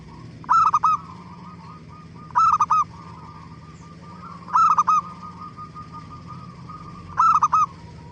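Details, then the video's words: Zebra dove song used as a lure to prompt other doves to answer: bright cooing phrases of quick rolled notes, each under half a second, repeated about every two seconds over a steady low hum. "Suara Gacor Burung Perkutut Paling AMPUH pancingan BURUNG PERKUTUT CEPAT BIKIN NYAUT"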